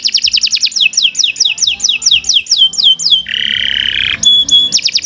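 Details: Canary in extended tutoring song: a long series of rhythmic descending whistles repeated several per second, then a loud rasping buzz, high pure piping notes and a final quick trill.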